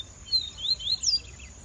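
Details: A rusty-collared seedeater coming out of its moult rest gives a quick run of three or four thin, high, slurred whistles, some falling and one sharply rising, over a soft background hiss.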